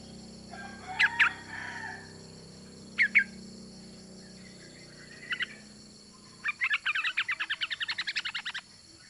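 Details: Female yellow-vented bulbul calling to the male: several short bright chirp pairs, then a fast run of about fifteen quick chattering notes near the end, over a steady low hum.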